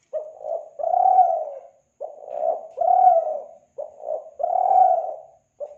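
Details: Spotted dove (tekukur) from Kelantan, used as a lure: soft, low cooing phrases, each a short coo followed by a longer, swelling coo, repeated about every 1.8 seconds over silence.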